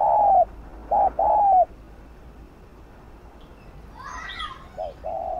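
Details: Cooing of a spotted dove in the gù (bo) style, used to excite lure birds into singing. A few hollow, even coos open the recording. A pause with a brief rustly noise follows, then the coos resume.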